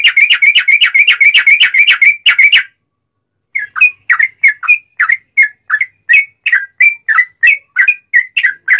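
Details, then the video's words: Sooty-headed bulbul singing loudly in cucak rowo style as a lure for other bulbuls: a rapid, tightly repeated whistled trill for over two seconds, a brief silence, then slower slurred whistles spaced about every third of a second. "Kicau Trucuk Buka Paruh Langsung Nguplik Nyambung Ngalas Ropelan Nyaring cucak Rowo'an"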